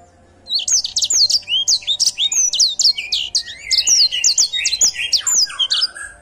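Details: Edel Sanger canary song: a quick sequence of high sweeping chirps followed by lower buzzy, warbled phrases, delivered continuously after a short quiet start.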